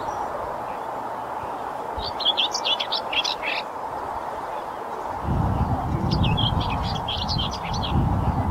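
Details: Greater whitethroat on breeding territory in riparian marshes at Rainham Marshes Nature Reserve, Essex, giving two short, scratchy, hurried warbled phrases a few seconds apart; low rumbling wind noise rises during the second half.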